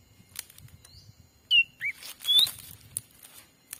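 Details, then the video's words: Black-capped bulbul lure call used to attract wild birds in a Sumatran forest: three short whistled notes, a falling slur, a low hooked note and a rising slur, among rustling and handling sounds. "suara asli pikat cucak ranting"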